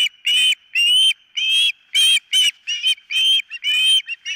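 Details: Osprey on its nest, recorded by camera on 4 September 2023 in the morning: uneven bursts of loud piping whistles, some long and slightly rising, others short and clipped.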